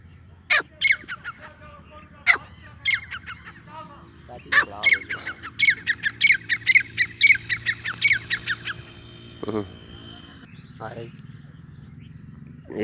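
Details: Grey francolin (Sindhi teetar) calling in a long, excited series of harsh squawking and whistled notes that crowd together in the middle and then trail off into scattered squawks, with low background hum.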